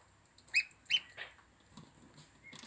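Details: Plump gosling calling with two loud, clear, high peeps close together, followed by a softer trailing note and faint rustling.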